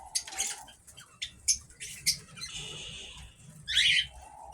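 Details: Cockatiels kept in an aviary, described as active and healthy, giving short harsh squawks and screechy bursts, with a brief sustained rasping note and a loud scratchy squawk near the end.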